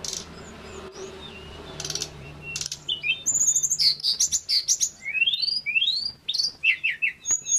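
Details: Male pygmy cupwing (tledekan gunung) in full, active song: after a quiet start, a fast run of varied high chirps, sweeping whistles and short trills, with notes rising and falling and repeated at an uneven pace.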